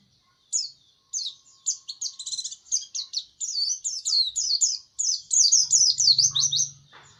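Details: White-eye singing a long, lively sequence of thin, high chirps that grows louder and more rapid, with a low hum in the background near the end.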